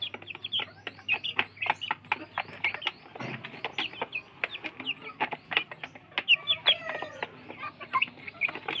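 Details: Village chicken chicks scrambling for food: dense rapid taps of beaks pecking mixed with short high chirps and peeps, a few longer wavering notes near the end, steady low hum underneath.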